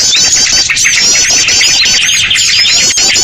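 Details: Dense chattering of small birds in a noisy lure track for attracting birds, high rippling twitters and trills layered into a constant din.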